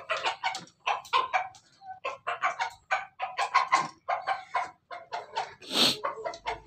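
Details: Laughing-style crow from a Pelung chicken: repeated quick choppy syllables in rolling bursts over nearly seven seconds, with one brief hissing sound near the end.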